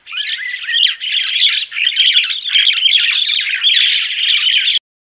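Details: Crested myna singing: a dense, continuous stream of harsh, scratchy, squawking chatter with rapid buzzy notes, briefly dipping near one and nearly two seconds in, then ending abruptly after almost five seconds.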